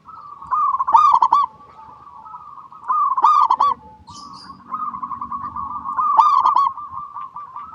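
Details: Local zebra dove (perkutut lokal) singing, a clear recording used as a lure to get other zebra doves singing; three loud bursts of rapid bubbling coos about every 2.5 seconds over a steady, softer cooing trill.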